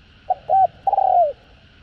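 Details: Spotted dove (cu gáy), 'giọng hạp' voice, from a full calling, urging and cooing set: one phrase made of a brief clipped note, a flat short coo and a long, trembling coo that glides downward. A faint hum sits in the background.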